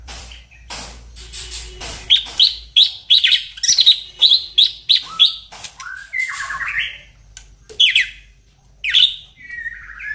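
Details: White-rumped shama singing, a recording meant to stir other shamas into full song: a run of sharp, high, evenly repeated notes, then slurred whistles and a few clipped chips with brief gaps.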